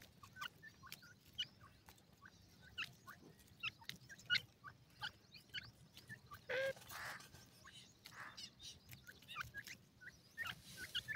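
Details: Chicks of the grey francolin in Pakistan peep softly while feeding and playing. Short upslurred notes come in loose runs, broken by rustling bursts, a brief louder hiss midway, and a low background hum.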